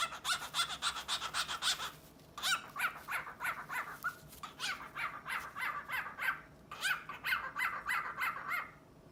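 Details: Indoor male cockatiel displaying to a sleepy female gives a rapid string of short, harsh clicking notes, about three per second, in bursts separated by brief gaps.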